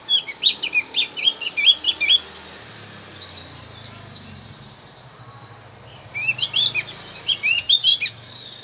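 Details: Javan grey-throated white-eye song played to lure wild birds. Two lively bursts of quick, high, bouncing chirps about two seconds long are separated by a quiet gap of roughly four seconds.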